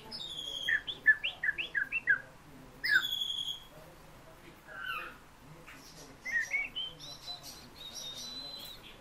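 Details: Fieldfare vocal-lesson song: a fast run of about six repeated, emphatic whistled notes, a high piping note, a pause, then softer rising whistles ending high and thin.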